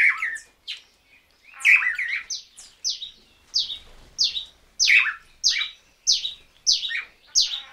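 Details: Swallow-tailed manakins at a courtship display give a run of sharp, downslurred, nasal notes, about one every half second, after a few louder warbled and squawky notes at the start.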